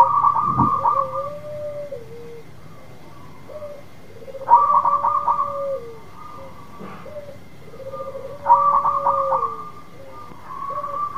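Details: Local zebra dove in full song, used to coax another dove that has stopped singing: bursts of quick stuttering notes, then long lower coos sliding down at the end. Phrases repeat about every four seconds over a steady background hum.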